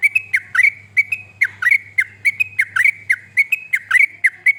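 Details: Sooty-headed bulbul song used to prompt other birds to sing: quick, clear, whistled phrases that drop then rise, repeated almost without pause, with several short notes per second over a steady low hum.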